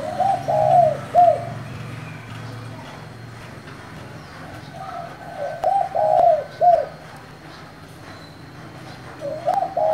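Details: Spotted dove of the 'thổ' voice style, calling to provoke wild doves. Two mellow, low cooing phrases of several arched notes each are separated by a few seconds of quiet, with faint low background rumble.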